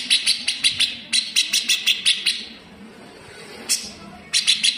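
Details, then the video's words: Grey-cheeked bulbul's rough, sharp besetan at full speed, a model for cucak ijo to copy: quick chains of rasping staccato notes, a long quiet gap, then another volley beginning. "MASTERAN FULL SPEED || CUCAK JENGGOT GACOR BESETAN RAPAT"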